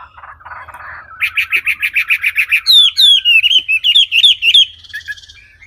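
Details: A wambi begins with a soft, buzzy warble, then bursts into a fast run of loud repeated chirps. These are followed by clear descending whistles and sliding notes that fade at the end.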